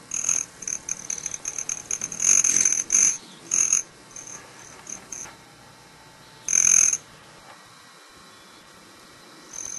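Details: Broad-tailed hummingbirds drinking sugar water and fighting. The high cricket-like buzz made by air through a male's tail feathers comes in several bursts of shrill whining, separated by quieter gaps.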